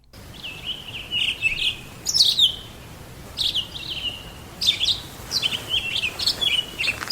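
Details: Male Townsend's Solitaire declaring his winter territory in Central Utah, in a canyon of riparian habitat flanked by pinyon and juniper; long run of high, clear warbling phrases, fluty and tumbling, with steady background hiss.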